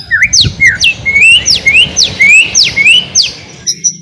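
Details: Ngeriwik song of a white-rumped shama, played to coax birds into full song: alternating steep down-slurred whistles and lower rising notes in a steady, loud, repeated pattern.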